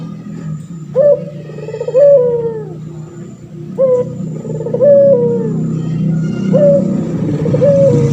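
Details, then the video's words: Steady cooing from a male pelung turtle dove used as a master bird for training: a brief upswept note, then a drawn-out sliding coo, three rounds in a row over a rumbling low background. "Burung puter pelung jantan gacor , di jamin langsung nyaut"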